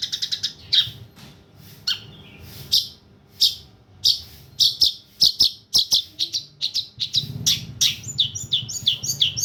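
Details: Long-tailed shrike song used as a tutoring recording for other songbirds: varied sharp, high chirps and whistled notes, sparse at first, then coming in quick succession with sweeping slurred phrases near the end.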